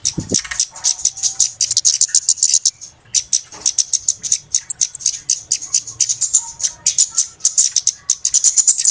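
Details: Flowerpecker calls played as a lure for trapping birds: a dense, rapid run of very high, sharp ticking notes, clicking in quick irregular bursts with brief pauses, and a low thump at the start.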